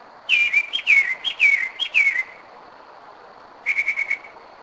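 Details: At 2am in Kennesaw, Georgia, 2011, a Northern mockingbird that returns yearly to the same spot sings a run of five loud falling whistles, then after a pause a quick series of short even notes. A faint high hum continues throughout.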